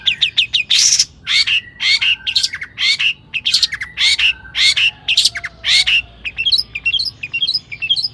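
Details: Long-tailed shrike singing hard, used to fire up other shrikes: repeated harsh, scratchy phrases with grating bursts about twice a second, ending in a run of thin, high, squeaky notes.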